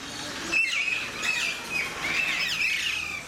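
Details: Alexandrine parakeets in a zoo enclosure at Mysore Zoo, giving a run of short, harsh, high screeching chirps, several notes following in quick succession and overlapping, over a faint background murmur.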